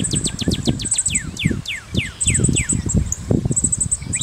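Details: Northern cardinal song of repeated clear whistles sliding steeply downward, delivered in quick runs with brief pauses, over loud low rustling and thumping noise and faint high chirps of other birds.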